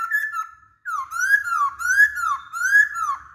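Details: Song of a masked laughingthrush used to draw other birds into singing: slow, looping whistled phrases that rise and fall in smooth arcs, roughly once each second.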